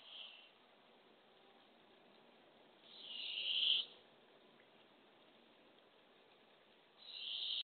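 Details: Barred owl nest box at dawn on April 27, 2024, where the female feeds a baby opossum to her owlets: three airy hisses, the middle one loudest, spaced several seconds apart over a quiet background.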